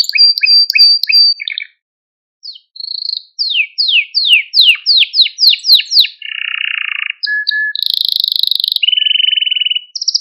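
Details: Malta canary singing, recorded to stimulate canaries: quick doubled chirps, a pause, a series of loud falling notes, low buzzy rattles and high rolling trills in a quiet indoor setting.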